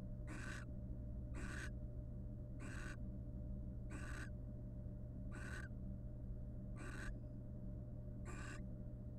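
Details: Courting pair of wild barn owls preening one another inside a nest box; a regular run of seven rasping hiss-screeches about every 1.3 seconds, broadband and breathy, with steady low camera hum beneath.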